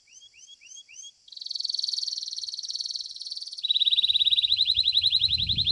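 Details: Belgian canary in a singing contest: a few curved whistled notes lead into a long dense buzzing trill, then a lower, rapidly pulsed rolling trill, with a faint low rumble near the end.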